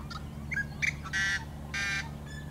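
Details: Yellow-headed blackbird in wetlands along the Great Salt Lake in summer, where many gather; brief chips and clicks lead into two long, harsh, raspy buzzes, over a steady low hum.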